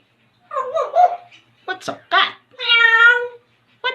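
An African grey parrot talks and mimics, answering spoken prompts with voice-like sounds, then a drawn-out, harmonic, meow-like call, indoors.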